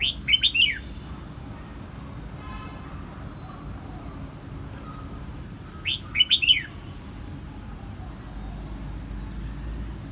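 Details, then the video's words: Two quick, tumbling phrases from a red-whiskered bulbul in Quang Nam, Vietnam, each a cluster of sweet rising and dropping notes, about six seconds apart with quiet background hiss between. "Vietnam bird is singing!越南广南戴帽鸟之歌"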